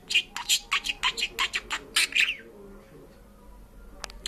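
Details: Parrot that talks and sings in Georgian rattling off about a dozen rapid, evenly spaced squawky syllables, then falling silent apart from a faint click near the end, indoors.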